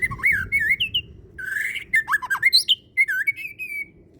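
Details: White-rumped shama, a caged fighter-type songbird, delivering a rich varied song of loud whistled slurs, rising and falling sweeps and sharp chattered notes in quick separate phrases, over a low background rumble.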